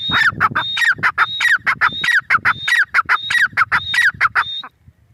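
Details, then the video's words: Teetar, or grey francolin, calling loudly in a brisk repeated pattern of harsh, ringing notes with whistled peaks, stopping shortly before five seconds. "Teetar awaz || teetar sound || teetar ki awaaz || gray francolin teetar voice"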